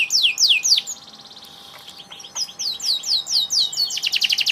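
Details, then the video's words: Canary song with descending high whistled sweeps at the start, a quieter buzzy stretch in the middle, then rapid repeated notes building to loud high trills. "Kenari gacor"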